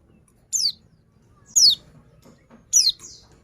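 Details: Female white-eye calling to encourage males: three bright, high chirps falling sharply in pitch, about a second apart, each trailed by a softer flutter, with faint background noise.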